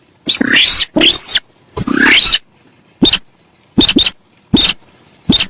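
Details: Javan pied starling, a lure recording, with rapid harsh chatter: rasping notes, one carrying a whistled peak, a scratchy rising sweep, then a string of short sharp ticks about one per second.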